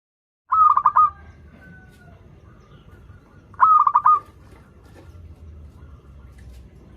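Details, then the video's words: Zebra dove of local stock in lively song, used to coax learning birds: two fast trilled coo phrases roughly three seconds apart, then quiet low background. "PERKUTUT LOKAL GACOR Suara Merdu || pancingan paling disuka perkutut yg belajar manggung"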